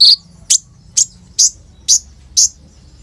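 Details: Olive-backed sunbird, a kept bird in full song with rapid rolls, used to lure young untrained sunbirds to sing, recorded on an Oppo A37f phone; sharp high chirps repeated about every half second, each a brief bright burst, low hum beneath.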